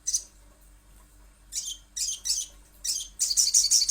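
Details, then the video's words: Little spiderhunter in a lure recording. High, thin chirps, then bursts of rapid buzzy notes with short pauses between them, ending in a dense fast chattering run. No other sounds stand out. "Pancingan Sogon ~ Sogok Ontong Pasti Bunyi"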